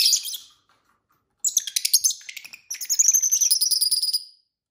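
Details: Several pet lovebirds chirping during dinner. A sharp opening chirp is followed by a pause, then two bursts of rapid, high, scratchy twittering notes. The second burst is a dense run that fades out. No other sounds.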